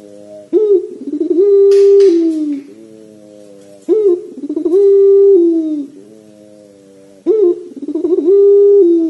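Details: A Barbary dove (puter pelung) gives three long coos about every three seconds, each opening with a sharp rising note, then a drawn-out, rolling, mid-pitched coo that fades away.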